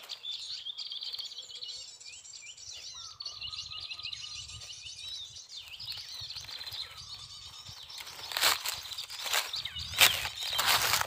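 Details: Prinia (prenjak lumut) song played quietly from an MP3 placed low on the ground to lure wild prinias, two of which came. It is high, rapid twittering in busy bursts, with a brief steady tone, rustling and louder knocks near the end.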